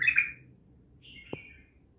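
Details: Untrained bulbul, Naft Khaneh, opening with a loud, bubbling warbled phrase, then a softer drawn-out whistled note and a single sharp click in a quiet room.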